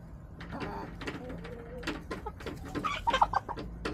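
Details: Hens in a backyard flock, caught on a chicken camera on March 24, 2024, making repeated short clucks and a brief rising cackle near the end, against a constant low mechanical hum and light tapping.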